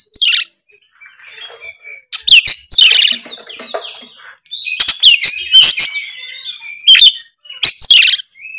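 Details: Kacer, the Oriental magpie-robin, delivering loud 'ngeplong' song: a tumbling mix of high sweet whistles, scratchy buzzes and crisp click notes, phrases overlapping with little pause.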